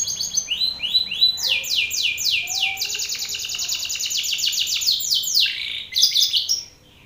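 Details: Male Belgian canary singing forcefully at another male, a rival, with a steady run of high sweeping notes repeated several times a second, building into a sustained rolling trill, then a short burst of sharp chirps before stopping.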